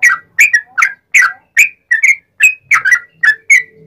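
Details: Rapid, ringing song of a sooty-headed bulbul in the wild-style manner that echoes the straw-headed bulbul, used as a master recording to get other bulbuls singing along. Varied slurred whistles rise and fall at uneven intervals, about two per second.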